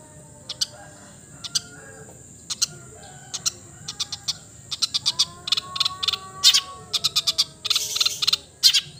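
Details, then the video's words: Long-tailed shrike (cendet) giving sharp, scratchy chips that speed into busy chattering, with a few brief whistled notes; a steady high hiss runs underneath. "the melodious sound of the cendet bird"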